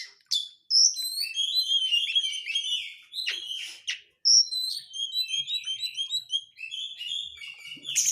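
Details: Dense crecetan chatter of an Oriental magpie-robin, a lure to make other magpie-robins sing: a rapid unbroken stream of short high whistled and buzzy notes, briefly interrupted by a harsh burst near the middle.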